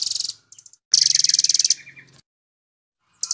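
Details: Velvet-fronted nuthatch in 'nembak' full-speed song, used to tutor songbirds: quick high trill bursts, the longest about one second of rapidly pulsed buzzy notes, followed by silence and a final short burst.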